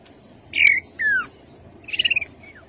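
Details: Rufous-capped babbler, a bird of bamboo and scrub: two clear whistled slurs, the second falling, then a short rapid trill and a faint downslurred whistle.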